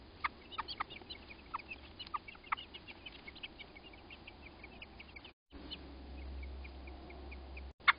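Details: Robins, an American robin pair, calling as a crow attacks their nest; loud sharp piercing notes mixed with quicker high chips, scattered irregularly, then quieter chips over a low hum, ending with one strong click.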